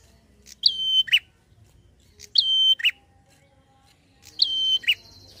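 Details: Prinia in lively song, a fast drawn-out 'ngalun' style used to provoke untrained prinias: three phrases about two seconds apart, each a sharp high tick, a level piercing whistle held a third of a second, then a buzzy lower note.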